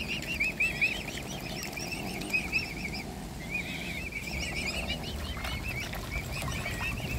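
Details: Hungry mute swan cygnets being hand-fed utter rapid, wavering high peeps in overlapping series, over low background rumble.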